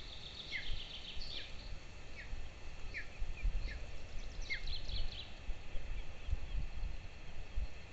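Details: Two golden eagle chicks at a nest camera in Lahemaa, Estonia, on 22 June 2024, calling during breakfast feeding: thin descending squeals repeated roughly every half second, with low rustling and bumping at the nest.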